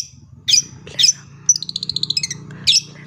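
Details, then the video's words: Long-tailed shrike singing as a tutor for young birds: two harsh squawks, a quick rattling run of about a dozen clipped notes, then another squawk, over a steady low hum. "Pancingan Cendet Full Isian Jernih Cocok Untuk Masteran Burung Cendet Anakan"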